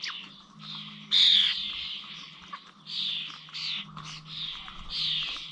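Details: Starlings at the old village bird feeders in Corby on 21 November, giving scratchy, grating calls in short bursts with gaps, one louder rasping note early on, over a faint steady low hum.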